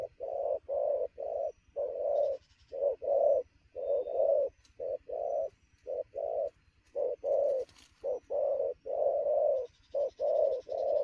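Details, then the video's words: Fast cooing from a newly caught spotted dove at midday, full of energy. Loud low coos come in pairs and short runs of clipped and longer notes, with faint high buzzing chirps and a low hum underneath. "thổ gù tốc độ, 12h trưa mà bổi quá sung"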